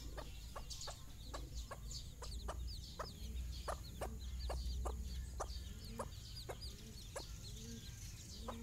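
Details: In the morning, a hen leads her chicks outside for their first time, giving low, soft clucks while the chicks answer with high, thin peeping. A steady rapid clicking runs through it, about three times a second.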